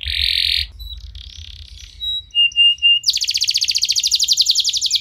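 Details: Canary song meant to get other canaries singing: a short buzzy trill, soft scratchy notes, three pure whistled tones, then a long rapid high trill; faint low hum underneath.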